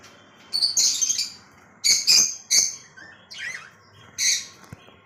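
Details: Lovebird kept in Kolkata giving several harsh, high squawking chirps in small clusters, with a brief wavering note between them.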